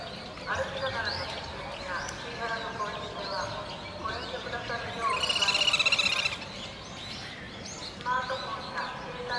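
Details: At Inokashira Park's pond on 25 November 2018, a family of little grebes with two chicks hatched in early October. A loud, fast, buzzy pulsed trill rises out midway, surrounded by human voices and scattered thin chirps.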